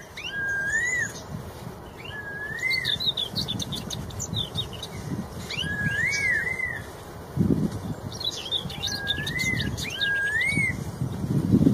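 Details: Red-tailed straw-headed bulbul singing loudly in the wild: rich, liquid warbled phrases rising and falling, given about every two to three seconds, while other birds chatter at higher pitch with a steady insect-like hum behind.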